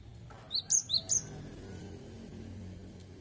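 A Cinereous Tit sings two quick pairs of thin whistled notes, each pair stepping from a lower note to a higher one, then stops. A soft background hum is heard.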